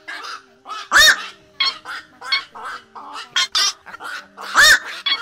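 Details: Black-crowned night heron flock call used as a night-trapping lure in 2024: short hoarse croaks in uneven bursts, punctuated by two loud, piercing arched squawks about three and a half seconds apart.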